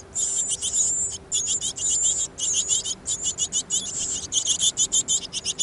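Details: Backyard great tits, a busy family, recorded 5 May 2014. Continuous rapid bursts of high, hissy, chattering calls pulse several times a second with brief gaps, with no other clear sounds.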